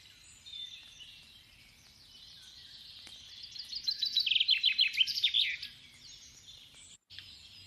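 A Common Chaffinch song in a German regional dialect: a quick run of bright, descending notes speeding into a short flourish, over faint background hiss.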